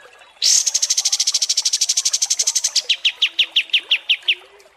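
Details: Kapas tembak songbird, masteran recording for competition birds: a long, very high buzzy trill opens abruptly. It keeps a steady rhythm, then drops lower and slows into separate, spaced notes.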